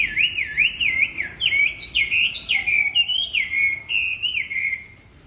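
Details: Wambi bird in full song, used as a training lure for other wambi: looping, zigzagging whistled notes repeated in quick succession, some pitched higher in the middle, fading at the end.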